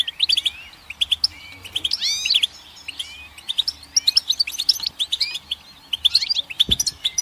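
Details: Extended goldfinch song, lively and varied: rapid chirps, looping slurred whistles and buzzy twitters tumbling together in bursts, with a faint low hum and one sharp knock near the end.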